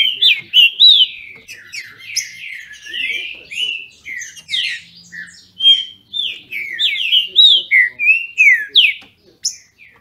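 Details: Green-winged saltators in captivity in Brazil contest with song: punchy whistled phrases with quick upward and downward slurs, overlapping at times, repeating roughly three times a second with uneven gaps.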